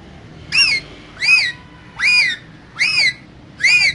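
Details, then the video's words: Caged pair of green parrots talking: five loud hoarse squawks, each an arched harmonic-rich note under half a second long, repeated evenly about every 0.8 seconds over soft indoor hum. "Two Green Cute Parrots Talking In Cage So Cute"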